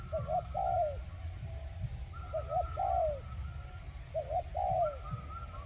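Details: Caged spotted dove used as a trapping decoy in Vietnam, cooing three times in quick succession, each a soft double note followed by a drawn-out downward-slurred coo, with a faint higher tone and low background hum.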